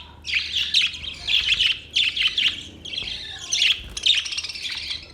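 Budgerigars chatter in bursts of rapid, scratchy chirps and warbles, high-pitched and overlapping, in roughly one-second phrases with short pauses between.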